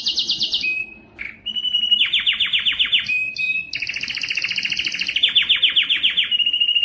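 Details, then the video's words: Canary singing aimed at prompting males to sing: quick high trill, short flat whistles, then loud sweeping descending notes repeated several times a second, and a long dense rolling tour ending in a level whistle. "صوت كناري مميز لتحفيز الذكر على التغريد"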